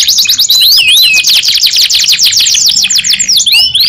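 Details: Caged canary singing: a loud, fast run of high, rolling, sweeping notes, with arched whistles near the start and end.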